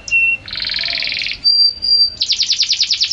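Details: Canary in song, called outstanding and a champion: a short whistle, a dense buzzy roll, a long steady high whistle, then a quick pulsing trill of repeated notes.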